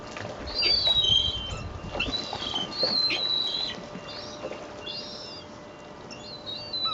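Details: Rowdy gulls fed bread at Fleetwood Docks on a sunny day: drawn-out whining squeals, slightly falling, from several birds in quick succession, with low rumble early on.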